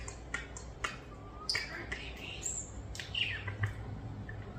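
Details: Two pet European starlings, nearly one year old, rescued after falling from their nest as babies, produce a jumble of sharp clicks, squeaky chirps and high sliding whistles, one thin rising whistle, and faint speech-like chatter.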